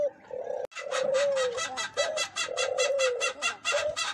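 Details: Eurasian collared dove giving low, even coos, several held notes that dip at the end. A dense train of harsh, high chirp-like pulses runs alongside after a short gap at the start.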